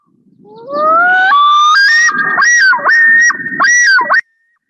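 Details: A male Common Loon gives the territorial yodel, defending his territory with neck stretched out: a few climbing wails, then a rapid run of repeated, looping two-note phrases, loud and ringing, with nothing else heard.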